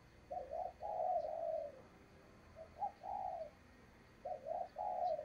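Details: Decoy spotted dove used for trapping wild doves, delivering its urging coo: groups of two or three throaty coos, the last of each drawn out, repeated several times over a background of steady hiss.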